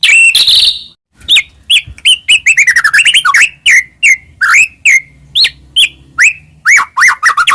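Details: Master song of a white-rumped shama for stimulating other shamas: varied rich whistles, slurred downward and upward notes and quick chips in an irregular, lively sequence, with a faint low hum behind.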